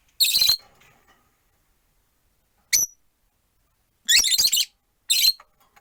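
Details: Rosy-faced lovebirds, four perched in a window-side cage, giving harsh buzzy chatter bursts and one clear sharp chirp, with silence between.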